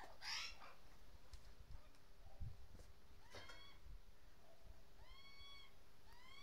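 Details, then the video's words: Mother magpie with her noisy fledglings; the fledglings give whiny, harmonic calls that arch up and down, several in quick runs, over a steady low rumble of background noise. "Mother Magpie With Noisy Fledglings"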